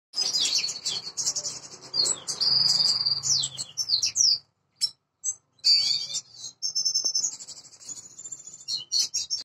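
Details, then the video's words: A black-hooded siskin gives high, thin twittering and buzzy trilled notes in rapid runs, pausing briefly midway before resuming the chatter; black-headed siskin. "black hooded siskin"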